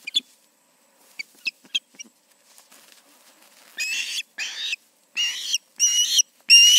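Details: Osprey at a nest in Charlo on an August 2019 evening, two birds present: a few faint thin chirps, then louder drawn-out, strained whistled calls in separate bursts.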